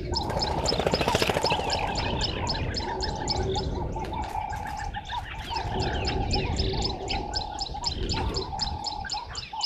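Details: Red-billed buffalo weavers busy collecting nesting material at dawn, 05:30, 11 August 2023, at Gowrie dam, Sabi Sand, South Africa: a long, rapid, rhythmic chatter of harsh clipped notes, about three per second, over continuous whistling from other birds.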